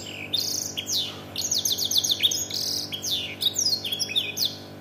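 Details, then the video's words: Domestic canary tutored on black-throated canary song delivers rapid high descending notes, trilled series and sharp chirps, with a low constant hum in the background. "KENARI ISIAN | BLACKTHROAT"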